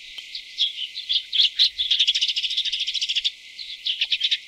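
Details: Tree swallows (Tachycineta bicolor) feeding chicks twitter in high, thin chirps that build into a fast, even trill of many notes per second, then break into scattered chirps again.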